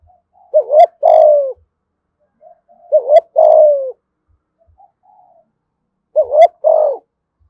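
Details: . Spotted dove from Dong Nai, Vietnam, giving its call in the local "thổ" voice style, three loud phrases about three seconds apart, each a quick double note then a long falling coo, with softer cooing between.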